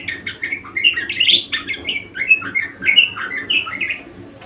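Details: Persistent, energetic budgerigar song: dense, rapid warbling of chirps, squeaks and buzzy twitters run together without gaps, with a steady low hum behind.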